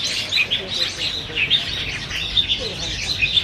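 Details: Black bulbuls feeding competitively on Chinese banyan figs at Niaosong Wetland Park, 4 November 2015, recorded with a Canon PowerShot SX700HS; clear, sharp squeaky notes repeated about once a second over softer chatter.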